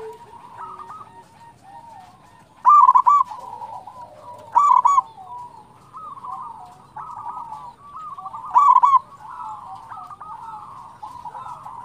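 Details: Singing local zebra dove used to attract and stimulate other zebra doves: three loud stuttering coo bursts spaced a few seconds apart over a continuous chorus of softer, overlapping dove coos.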